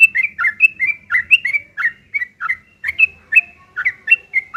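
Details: ['Yellow-vented bulbul fighting song, harsh chattering used to provoke other birds into replying: steady string of short, bubbly two-part notes repeated several times a second throughout.']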